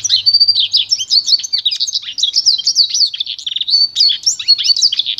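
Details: Continuous high warbling from a pintagol, a goldfinch and canary hybrid: quick varied twitters, slurred whistles and short buzzy trills with no break.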